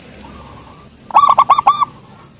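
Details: Local zebra dove with a soft voice uttering a single quick phrase of about five rolling, rounded coo notes after a brief faint lead-in.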